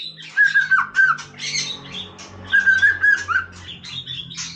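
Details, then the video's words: White-rumped shama singing casually: two bursts of clear whistled phrases around a steady pitch, each followed by harsh, scratchy notes, with a low hum underneath. "นกกางเขนดงร้องเล่น Shama Bird"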